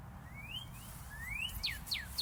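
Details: In southern Indiana, a Northern Cardinal gives two long rising whistles, then three quick, sharply falling whistled notes, clear and ringing over a low background rumble.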